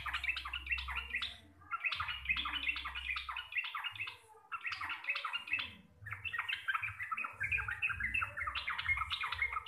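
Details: Local Javanese sooty-headed bulbul in busy 'receh' song, described as clear and loud. Dense runs of quick chirping notes come in three long bursts separated by short silences, with a low background hum.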